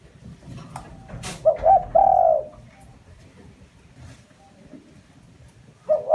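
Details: Cooing of a spotted dove used as a lure: one phrase of two brief notes and a long, sliding coo, a sharp click before it, and the start of another phrase at the end.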